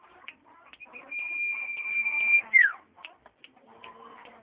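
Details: Whistled song of a common iora: a sustained high pure note lasting over a second, ending in a quick falling slur, followed by short chips and a soft warbling twitter.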